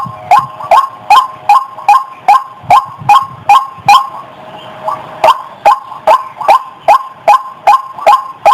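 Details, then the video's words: Rhythmic harsh 'wak wak' calling of white-breasted waterhen for luring, strong evenly spaced croaks with a short lull in the middle before the series picks up again. "SUARA PIKAT BURUNG RUAK RUAK"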